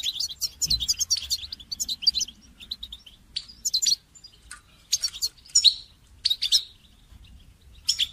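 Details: Goldfinch singing in a recording meant to train songbirds: lively, scratchy twitters and sharp high chirps in repeated bursts, some buzzy and dense, separated by short gaps, over a faint low background rumble.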